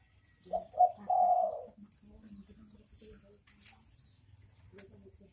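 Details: Spotted dove, locally called derkuku, giving a 'bekur bekur' call: two short low coos and then a longer drawn-out coo, followed by quiet with faint background noise.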